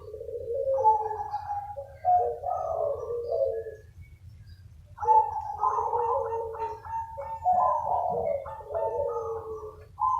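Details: Lure chorus of local zebra doves answering one another: layered trilled, purring coos in several voices, two long bouts with a brief lull between, steady low hum underneath.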